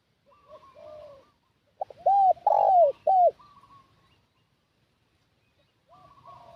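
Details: Spotted dove call employed to lure wild doves, a loud phrase of a clipped note and three arched coos in the middle, with softer answering coos from another dove at each end.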